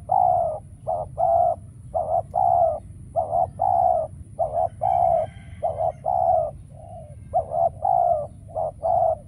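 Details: Decoy spotted dove cooing during a trapping session meant to draw in wild doves, which stay absent. Dense sequence of soft, hollow coo notes, some brief and some longer, repeated about every second over a quiet low hum.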